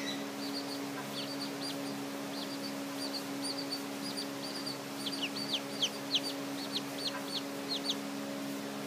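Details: Newly hatched Silkie chicks, hatched 5/28/14, give thin, high, falling peeps in scattered runs that grow busier toward the end, above a constant low electrical hum.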